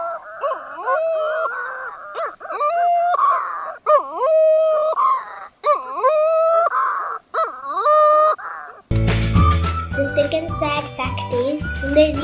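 Flesh-footed Shearwater gives a run of drawn-out, wailing, rising-and-falling calls in bouts about every 1.5 seconds, then background music takes over.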